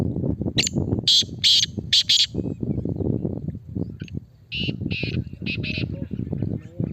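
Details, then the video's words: Male black francolin (kala teetar) giving a loud, harsh, rasping call phrase of four quick grating notes. After a brief pause, a softer buzzy series of similar notes follows over constant low background rumble. "Kala Teetar Bolna Shuru | نہ بولنے والا تیتر بھی بولے گا"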